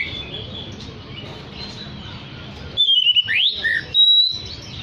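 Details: Oriental magpie-robin in lively song, used to draw in other magpie-robins. After a quiet stretch of background hiss come a few clear whistles: a level note, a steep upward sweep, then a high sustained whistle.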